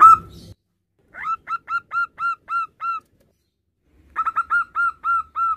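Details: Local male zebra dove calling its mate: two series of rapid, clear, mid-pitched cooing trills, each of about six to eight evenly spaced notes, separated by a short silence.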